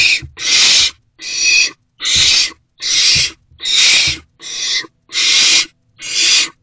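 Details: Nest-box owlet at night, 16 March 2024, swallowing a rodent just brought in; eight rough hissing screeches, each about half a second, repeated steadily at roughly one per second in an otherwise quiet box.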